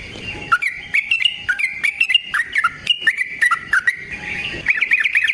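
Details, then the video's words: Fighting song of a yellow-vented bulbul, used to lure and train other birds: lively chattering phrases of liquid whistled notes with clicks, ending in a quick rippling run. "Burung TRUCUKAN GACOR Ropel Panjang Cocok untuk PANCINGAN Trucuk bahan dan MASTERAN Burung Trucukan"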